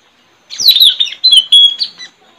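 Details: Decoy Straw-headed Bulbul, locally puling, singing in a song contest with a friend's bird in a village, 4 April 2021; a loud, rich phrase of gliding, warbled high notes, broken by short pauses, lasting about one and a half seconds.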